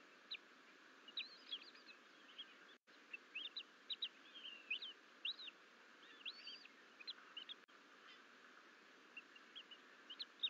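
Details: Two young bald eagle eaglets, alone in the nest after the mother leaves, crawl out of the nest bowl to explore in mid-April in Colorado. Thin, high chirps and short rising squeaks come in scattered bursts over a steady background hiss.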